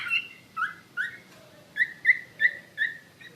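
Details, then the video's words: Wambi mandarin bird singing actively, giving short clear notes near two kilohertz, slightly rising or level, repeated about every third of a second after a brief opening phrase, over a faint low background hum. "Burung Wambi Mandarin Gacor Joss"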